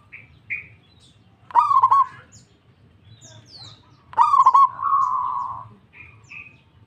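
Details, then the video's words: Zebra dove, a local bird in full voice answering another dove: two clipped, rapidly stuttered cooing phrases, the second trailing into a longer steady hum, with faint higher chirps from other birds before and after, over low rumble. "PERKUTUT LANGSUNG NYAHUT PERKUTUT LOKAL GACOR DOR DOR DOR"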